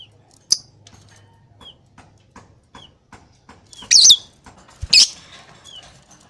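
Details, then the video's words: Lovebird calling freely as it pleases: scattered short, high chirps and soft clicks, then two loud, shrill, rasping screeches about a second apart, with faint rustling in between. "Love Bird Bunyi Sesuka Hati"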